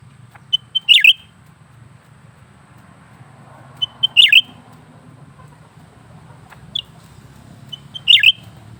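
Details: Lesser green leafbird kept caged, singing nonstop: clear high notes then quick descending whistled bursts, repeated about every three and a half seconds, plus a soft low rumble in the background.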